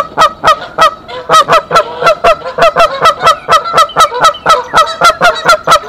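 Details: Alarm honking by a nesting mother goose at Decorah, 27 March 2023, calling her mate to the nest. The nasal honks run nonstop, roughly three to four per second, steady in loudness.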